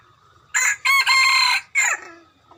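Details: Decoy cockerel for catching birds, giving a full crow: a short harsh opening note, a long loud rasping middle and a falling final note, with faint background bird whistles.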